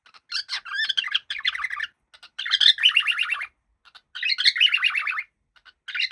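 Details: A happy cockatiel gives varied chirps and then rapid warbling phrases, with clicks between bursts, indoors.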